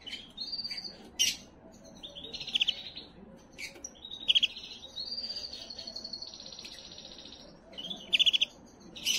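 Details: Canary singing to stimulate females for breeding: soft high phrases with loud rattling trills near the start and end and a long, level whistled tone through the middle, over faint background hiss.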